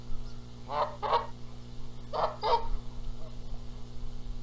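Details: Canada goose pair arguing over sitting on the eggs, Rogers Place, Charlo, Montana, April 14, 2022; two double honks, each pair of loud nasal notes spaced about a second and a half apart, steady background hum.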